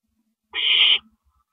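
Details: Single harsh, breathy screech of about half a second from an owl at its nest at night on 6 April 2012, while the male brings in a rabbit; otherwise silent.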